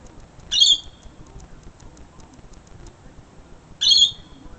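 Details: Two sharp, grating screeches from a lorikeet on a balcony in Sydney, spaced about three seconds apart, each brief and shrill, with only soft ambient noise between.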